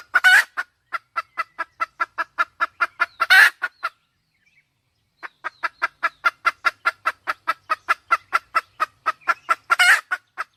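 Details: Red junglefowl hen giving a long run of rapid, even clucks, about four per second, with louder harsh bursts and a short pause midway before the clucking resumes.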